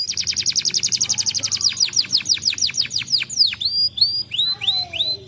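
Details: Canary song used to prompt other canaries to sing: a fast trill of repeated downward-sweeping high notes, slowing into longer descending swoops and then sharp upward-curving whistles with a faint lower tone near the end.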